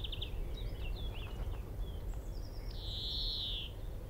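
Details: Singing male European greenfinch perched in a tree at Minsmere, roughly 25 m off, recorded through a shotgun mic: short rapid notes and twittering phrases, then a drawn-out nasal wheeze that slowly falls in pitch, over steady low-frequency rumble.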